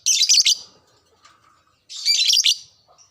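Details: Caged lovebird in breeding condition, used as a lure to stir other lovebirds to sing: two loud, harsh, buzzy chattering bursts about two seconds apart, each roughly half a second long, with faint twitters between.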